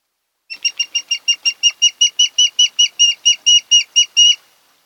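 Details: Nesting osprey on Kent Island, Maryland, in late August, giving a steady series of about eighteen clipped, high whistled chirps that grow slightly louder toward the end, with a quiet background.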